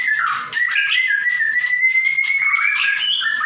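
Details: Captive white-rumped shama singing loudly as a training model for other birds: sustained whistled notes, long slightly rising tone around the middle, interspersed with sharp clicks and rapid chattering bursts.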